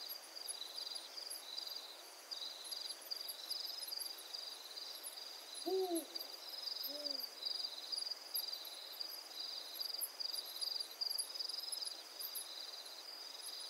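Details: At night at Mankwe Dam, Pilanesberg National Park, South Africa, a Spotted Eagle-Owl gives a low, soft two-note hoot, the second note about a second later, over a steady, shrill pulsing chorus of night insects.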